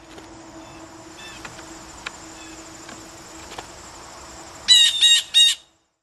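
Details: Blue jays acting nervous and jumping around near the camera give three quick, loud, raspy harmonic calls close together toward the end, after a stretch of low steady hum and scattered soft clicks.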